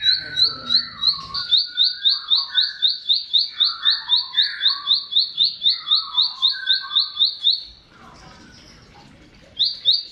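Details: Bar-winged prinia song used as a training model for cage birds: a long, steady train of thin, high ticking notes, about four per second, with softer lower warbles beneath, then a pause and the trill resuming.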